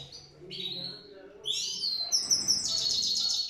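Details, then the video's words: Goldfinch sings a fast, high, tinkling twitter of bright chirps and trills, with a faint low hum underneath. "Gold Finch The Best singing"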